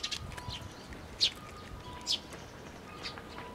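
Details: Juvenile Eurasian tree sparrows at a Tenmangu shrine, 26 May 2024, crowd into a plum tree to get food. Two loud, sharp high chirps stand out among fainter, irregular chirping, with a faint steady hum behind.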